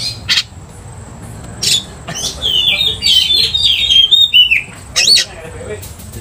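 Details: Oriental magpie-robin singing to stir another magpie-robin into agitation; isolated harsh chips, then a rambling stretch of buzzy twittering and whistles, ending with a sharp upward whistle.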